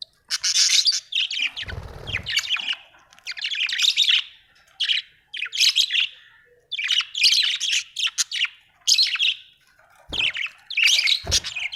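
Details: Budgerigars kept at home keep up continuous warbling chatter, dense bursts of scratchy, buzzy and whistled notes roughly every second with short gaps, plus a few low thuds.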